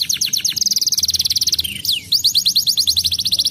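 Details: Crested canary, a fighter bird described as agitated and singing nonstop in ngedurr style: rapid trains of bright high buzzy notes, two quick downward-sweeping whistles mid-phrase, then another fast repeated trill, with a faint low hum underneath.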